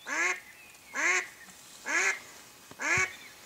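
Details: Four evenly spaced, loud, nasal quacks come from a Mallard hen used to attract ducks for hunting, with one sharp click between the last two calls.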